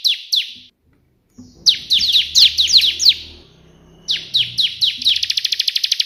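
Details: Bar-winged prinia singing hard in 'tembakan' style like the white prinia. Two sharp notes, a pause, then clusters of fast downslurred chips, ending in a quick regular trill, over a faint low hum.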